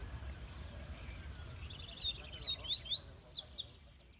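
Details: Rusty-collared seedeater kept as a cage bird, quiet at first, then a rapid series of sharp, high descending whistles building in loudness for about a second and a half before stopping, steady high hiss behind.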